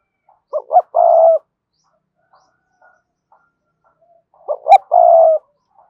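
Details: Two cườm sa coo phrases from a Spotted dove, meant to prompt other doves into cooing. About four seconds apart, each has two quick low notes and a long steady hoot, with faint ticks between them.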